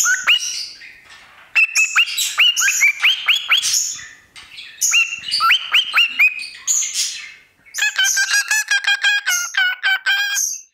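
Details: Parrot singing into a microphone: scratchy chatter and rising whistles lead into a rapid, rattling burst of short harmonic notes near the end, with several brief quiet gaps.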